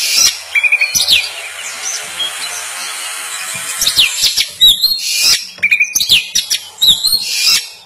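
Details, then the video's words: White-rumped shama youngster practising song, giving scattered sharp chirps and short whistled notes, some rising, amid a steady hiss and soft clicking, with quieter pauses between bursts. "Kacer Belajar Berkicau"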